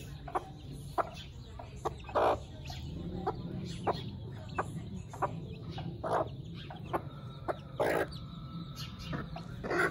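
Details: Domestic chickens with chicks on their first day after hatching; short low clucks and soft noisy bursts scattered every second or so, some louder squawky notes, with a steady low hum beneath.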